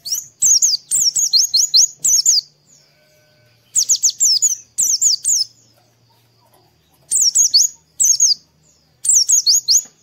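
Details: Morning lure song of Oriental white-eye meant to get birds opening their beaks: rapid series of sharp, high descending chirps in clustered phrases, with a pause mid-way and a faint low hum beneath.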